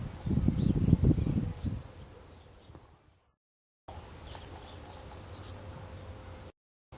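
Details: Free-living European serin singing at Santo Tomás, Zamudio, Bizkaia, on 6 May 2018: two bursts of high, hurried, glittering twitters with descending slurred notes, partly covered early by a low rumbling thump, and interrupted by short gaps of silence.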